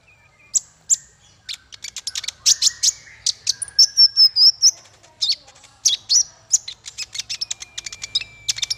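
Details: Dense, energetic masteran tutor song for small fighter birds, a continuous chattering stream of rapid high chips, buzzy notes and a short warbled phrase, varying constantly without a fixed rhythm.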